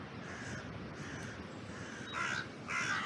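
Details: Crows around an oak tree in a cemetery, trail camera recording: faint distant caws at first, then two loud hoarse caws close together near the end, over steady wind noise.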